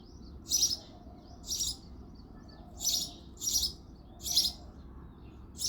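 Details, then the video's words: Male house sparrow singing and chirping in the early morning in February: loud, broadband chirps repeated roughly every second, each a short harsh note, with a faint steady low hum behind. "House sparrow sound effect | Sparrow chirping sounds"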